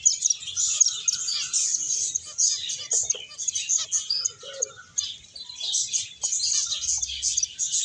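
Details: Several finches playing and eating, filling the air with a continuous bright twittering chorus of high, rapid chirps, with a few softer lower notes scattered underneath.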